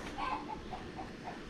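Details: A hen from a backyard flock of 15 chickens in Richmond Hill, Georgia, some laying eggs, clucks in short, mid-pitched notes about four a second over a steady background hiss.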